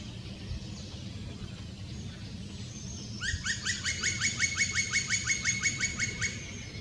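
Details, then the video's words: Black woodpecker at Slotplaats near Bakkeveen, Netherlands, giving a fast series of about sixteen sharp, ringing repeated notes over three seconds after a quiet start, with a low rumble of background noise. "zwarte specht"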